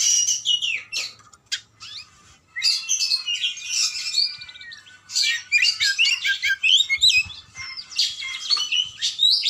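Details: Oriental magpie-robin, called kacer, pouring out a loud, varied song of rapid high whistles, buzzy and scratchy notes and sweet slurred phrases, broken by brief pauses, with a long steady whistled note near the middle.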